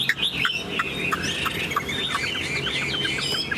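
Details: A caged Chinese hwamei, tame and fanning its tail, pours out a dense stream of varied whistled phrases and short chips, continuous and fairly loud, over a low background rumble.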